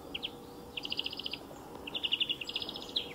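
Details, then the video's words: European greenfinch song near a motor racing circuit, fairly faint: brief chirps followed by rattling trilled runs of quick repeated notes, partly masked by continuous low rumbling noise. "VERDIER d'EUROPE - Chant remplacé pour cause de grand bruit"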